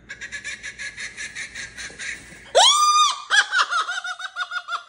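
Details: An indoor kookaburra recording plays a rapid, rolling chuckle of repeated hoots while a pet cockatoo answers with a loud, harsh screech, then more bubbling laughter.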